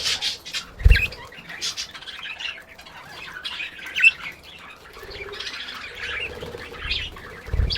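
Budgerigars chatter with scratchy squawks and bright chirps, with a few low thumps underneath.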